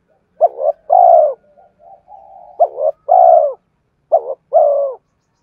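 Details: Cooing of a spotted dove, played to draw in wild birds. Three phrases follow one another, each a short broken double note and then a drawn-out mellow coo, with low murmurs in the gaps.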